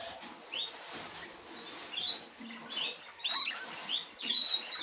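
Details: A female budgerigar at the nest for the first time, trying to go in, utters scattered high chirps and upswept whistles, growing louder toward the end, with faint shuffling noises.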